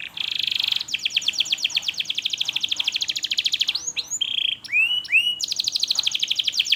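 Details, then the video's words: Canary lure song for young canaries learning to sing and for silent birds: a long, very rapid even trill, then a few curved whistled notes and a buzz before the fast trill resumes. "KENARI GACOR PANJANG Cuit Cuit EMOSI, Pancingan Kenari Paud Belajar Bunyi"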